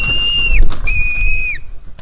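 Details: A hungry white-tailed eagle chick at a nest on 4 July 2018 begs as it jumps toward its mother, giving two long, thin whistled notes that hold steady then drop away, over a low wind rumble.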